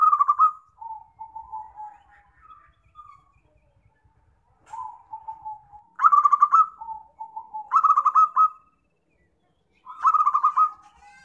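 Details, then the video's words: Zebra dove call used as a lure for trapping: bursts of rapid, stuttering coos, each a quick pulsed trill of mid-pitched notes that dips at the end. Phrases repeat with short pauses between them. "PIKAT PERKUTUT PALING AMPUH"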